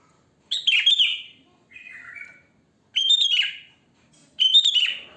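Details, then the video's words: Wild sooty-headed bulbul singing naturally, used as a lure for bulbuls: bright bubbly whistled phrases descending in pitch, three loud bursts about every two seconds with a softer phrase between. "Suara Kutilang Asli Alam Tanpa Isian Gacor, Ampuh untuk Pancingan, Bikin Kutilang Ribut Gacor"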